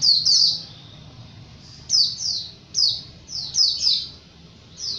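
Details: Tutor recording of a white-eye (pleci) singing ngalas style: a quick pair of high whistles, a silent stretch, then spaced pairs of sharp, falling notes.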